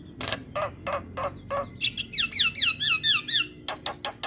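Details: Javan myna song for teaching mynas to sing, played in the morning: evenly spaced harsh squawks, a run of quick wavering whistles, then sharp rasping notes.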